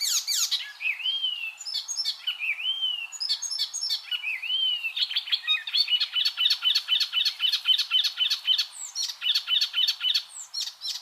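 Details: Song of an icterine warbler, used as a tutor track for cage birds: a few looping whistled slurs, then a long, fast, steady stream of crisp repeated chip notes.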